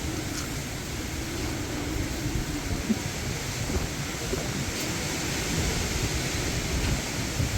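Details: Loud, continuous rumbling and hissing like strong wind buffeting a microphone runs throughout, and no animal call can be picked out.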